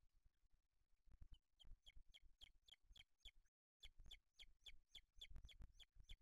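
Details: At a booted eagle nest with chicks in Spain on 8 July 2023, the male arriving with a small bird for the older chick; rhythmic high thin chirps repeat about four times a second, with a brief break, over low background rumble.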